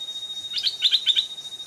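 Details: Stripe-throated bulbul, an old, aggressive wild bird drawn toward a caged decoy and a trap; a quick run of about six sharp chattering notes, paired and slightly descending, over a steady high insect whine.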